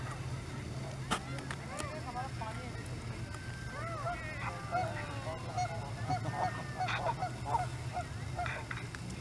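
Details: Canada geese at Hawreluk Park Lake, calling in a flock: many short nasal honks, some rising then falling, overlapping through the clip, over a steady low rumble of background noise.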